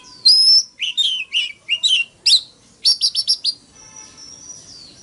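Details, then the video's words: Fighting song of a decoy Oriental magpie-robin, forest-voice style, used to rouse morning singing. Sweet slurred whistles and buzzy notes give way to a quick burst of four repeated chirps, ending in a thin, sustained high whistle. "Tiếng than mồi hót đấu"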